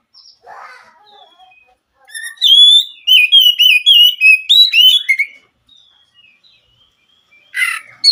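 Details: White-rumped shama giving a burst of loud, rapid whistled notes after a quiet start, then silence broken by a sharp harsh note near the end.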